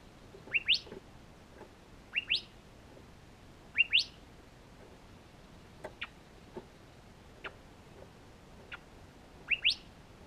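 Curve-billed Thrasher chicks give sharp, rising, two-part chirps about every one to two seconds, with fainter single notes between them.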